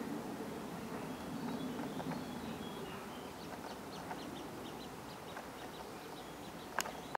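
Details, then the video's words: Young Eurasian coot begging while being fed on the Elbsee, Hilden, Germany; short high-pitched peeps come in quick uneven runs above constant low-frequency rumble, with one sharp click near the end. "coot fledgling feeding"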